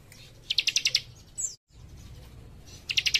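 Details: Young warbler in active song, a little fainter: a short rapid trill of high pulses, a brief thin downslurred note, a momentary dropout, then another quick trill begins.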